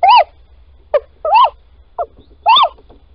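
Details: Little owl pair at Holten, Netherlands, 10:25 on 16 March 2020: as the female digs a nest scrape, the male calls three mewing, rising-then-falling calls about a second apart, with short sharp notes between them over a faint low hum.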